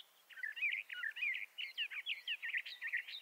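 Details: Bendire's thrasher delivering a quick, chattering warble, short scratchy and slurred notes strung together almost without a break.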